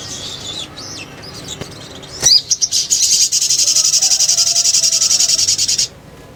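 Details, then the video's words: Little spiderhunter lure song, sogon ngriwik ngleper: thin wavering high notes and a sharp note lead into a sustained fast, buzzing, evenly pulsed high trill of about three seconds. "PANCINGAN SOGON NGRIWIK NGLEPER"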